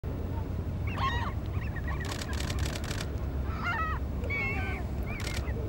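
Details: Black skimmers at Fort De Soto County Park give short, nasal, yapping barks, several in quick succession, some bending up and down in pitch, over a steady low rumble of wind or surf.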